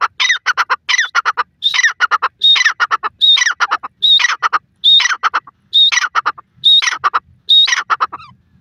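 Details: Francolin (teetar) calling in a village. Loud, harsh phrases repeat about every 0.8 seconds. Each phrase opens with a high slurred note and ends in a rapid stuttering run of clipped notes. The calls stay steady and dominant, with a quiet background.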